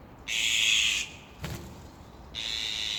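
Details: Azure-winged Magpie parents above a poorly flying fledgling, just out of the nest, try to protect their young. Two harsh, rasping, high buzzy calls, the first lasting under a second, the second starting near the end, with a soft knock between them.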